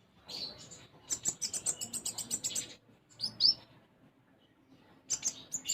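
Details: Sunbird singing actively, its song filled with sparrow-like phrases: bursts of high, thin, rapid chirps and twitters, a short pause, then another sharp burst and a final run of high chirping notes.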